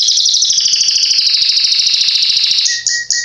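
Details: Belgian canary, a tutor singer for young birds, holding a long, even, fast rattling trill, ending with short high whistled notes.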